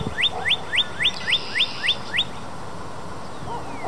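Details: Male Northern Cardinal perched atop the tallest tree in a local park, calling loudly to another cardinal in a nearby tree: eight quick rising slurred whistles in an even series, then a quiet stretch with a low background hum.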